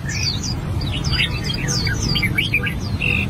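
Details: Song practice by an albino red-whiskered bulbul, a brief run of bright, slurred whistles and twittering chirps, some notes swooping upward, with a faint constant rumble underneath.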